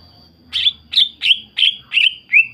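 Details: Greater green leafbird singing vigorously to provoke other leafbirds into replying; six loud, sharp downslurred chirps repeated about every third of a second, the last slightly lower.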